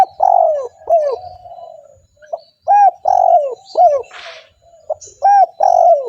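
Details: Spotted dove calling often, played to attract wild spotted doves: loud, arched, falling coos repeated about every second, linked by softer trilling coos, with one brief hiss and faint high chirps.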